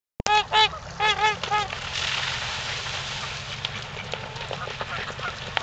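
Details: Trumpeter swans at a park in Ann Arbor, Michigan, during mating time: a few loud, brassy, nasal honks with rich harmonics in the first two seconds, then softer broadband noise and faint clicks.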